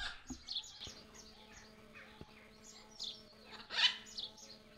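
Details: A parrot at Exmoor Zoo, which had been very noisy moments before, gives scattered high chirps and short squawks, with one louder harsh burst near the end, over a steady low mechanical hum.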